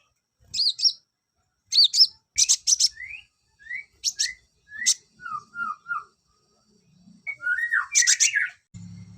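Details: Olive-backed sunbird song used to raise breeding drive in males: sharp high twitters and doubled squeaks, then a run of short rising and falling whistled notes, ending in a dense chattering burst.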